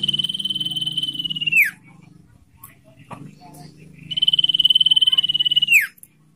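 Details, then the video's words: Common iora singing in the ngetir style, recorded as lure and training audio for captive birds: two long, rapid, steady-pitched buzzing trills, each about one and a half seconds, ending in a quick downward slur, with a gap of quiet between them. "Burung sirtu/cipoh full ngetir"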